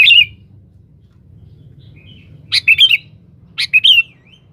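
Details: Sooty-headed bulbul calling a rival, as a lure: a clipped phrase at the start, a soft faint note, then two full bubbly whistled phrases about a second apart, over a low hum.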